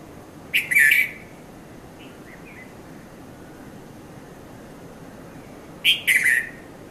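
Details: Red-vented bulbul, known locally in Sri Lanka as Konda Kurulla, recorded at Mount Lavinia between 5:30 and 5:40 a.m. on a Nikon Coolpix P510: two short bubbly chirped phrases, about five seconds apart, over a quiet hiss.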